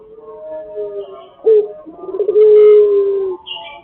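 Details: Pelung chicken, a gacor (frequent-crowing) bird, crowing as a lure sound: short rough onset, then a long, steady, drawn-out mid-pitched tone held about two seconds before cutting off, with faint quieter sounds before it.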